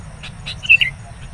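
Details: Wild sooty-headed bulbul at a luring trap, calling in agitation as a rival approaches: two short, bright chirping notes in quick succession, with faint scattered chips and a low background hum.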